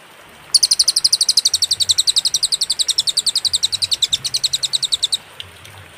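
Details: Cililin song on a master recording meant for training songbirds: after a short quiet start, a long rapid trill of shrill, high notes runs for about four and a half seconds, then stops.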